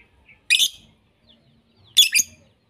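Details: Harsh, grating lovebird shrieks in a mixed tutor recording for pet lovebirds: a loud double-peaked screech near half a second, quiet, then another rasping double screech about 1.5 seconds later.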